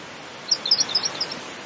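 A pink robin gives a quick run of thin, very high ticking notes, about eight in a second, over a steady rushing hiss like nearby water.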